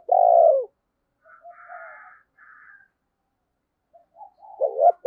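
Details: Spotted dove used as a decoy to lure wild birds: one strong falling coo at the start, then faint buzzy higher notes and soft low murmurs, and a clipped coo phrase at the end.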